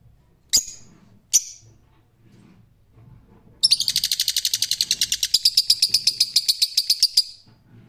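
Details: Two separate sharp screeches from a rose-ringed parakeet, then a long, fast chattering run of harsh, high notes repeated several times a second for almost four seconds.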